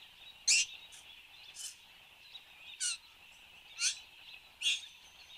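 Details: Satin bowerbird in Australia, 10 January 2015, 8:02 am, producing brief grating buzzes, one strong burst then several softer ones roughly every second, over a steady high-pitched insect-like drone.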